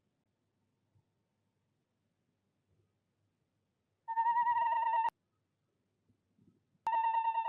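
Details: A telephone-like ringing tone sounds in two bursts indoors, with faint soft knocks between them and no clear animal calls.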